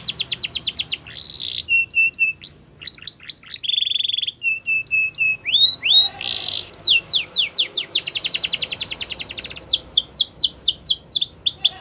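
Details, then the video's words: Varied canary song mixing quick rolled trills, flat sustained whistled tones and rising slides, ending in a long, dense, rapidly repeated high trill. "Canary Sound Effect | Canary Singing Video"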